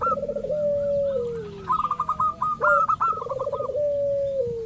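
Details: Local zebra dove calling as a lure to set off rivals: a bubbling low trill ends in a long falling coo, then quick staccato note bursts stutter above it, with overlapping doves.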